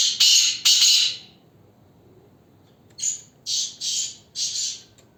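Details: Kept black francolin of the Ghanghas Tloori mix breed calling: two loud harsh grating bursts, a pause, then four shorter rasping notes in quick succession, very high and hissy, with quiet background.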